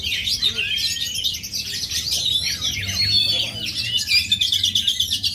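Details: Oriental magpie-robin from Aceh singing a dense, continuous stream of high, quick whistled and chattering phrases, with faint low hum beneath.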